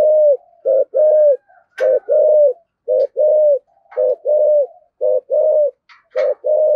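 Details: Spotted dove cooing to call the flock, used as a lure bird; low hollow coos in repeated short-long pairs, about one per second, with faint clicks between phrases.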